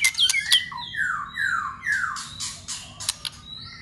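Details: White-rumped shama in contest song training: a run of long downward-slurred whistles, each a little lower, broken by sharp clicks and brief high notes.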